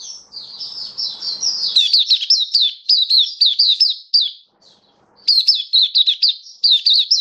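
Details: Oriental white-eye in captivity singing, 27 October 2022. Rapid series of sharp, high, down-slurred chirps in two bursts separated by a brief pause, each note quickly repeated. A soft low rustle is heard at the start.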